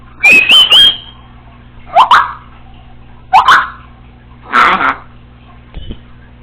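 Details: Female Congo African Grey kept as a pet, home alone, opens with a stepped rising whistle, followed by three short hoarse chirped phrases and a faint click.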